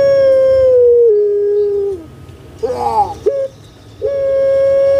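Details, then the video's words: Indonesian puter pelung collared dove, kept in a cage on Java: a long steady note that steps down and fades, a rough gurgling burst with a clipped note, then a fresh level drawn-out coo. "PUTER PELUNG SUARA MERDU STABIL"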